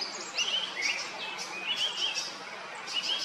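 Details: Drongo from Kerala, India: quick pairs of bright, slurred chirps rising and falling, repeated in bursts roughly every half second against a noisy outdoor background.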